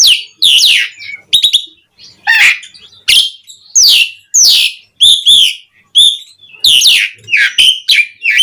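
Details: Asian pied starling song, used as a lure to stir other starlings into singing: loud bursts of whistled, downslurred notes mixed with short buzzy chatters and squeaks, in an irregular run of phrases with brief gaps.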